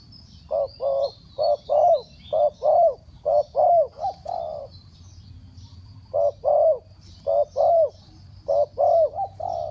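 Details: Spotted dove used as a decoy to call down wild birds, in the Thai three-kuk hanging style: two bursts of paired and tripled mellow hoarse coos, each phrase about a second long, a pause between, with faint high chirps above.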